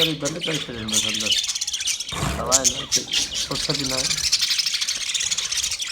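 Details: Budgerigars in a cage chatter in a dense, continuous high warble of quick chirps and twitters, with lower, wavering, voice-like squawks breaking in now and then.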